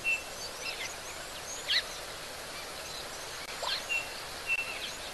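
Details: At an African waterhole, a Chinspot Batis gives a partial call, the "chin-spot" part without the "batis": a few faint, clear, high whistled notes a second or more apart, over steady outdoor hiss and brief chirps.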